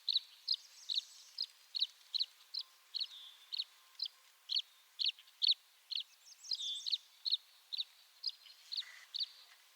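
Tree swallow giving short, liquid chirps about twice a second, high and clear, with a few overlapping gurgled twitters near the end.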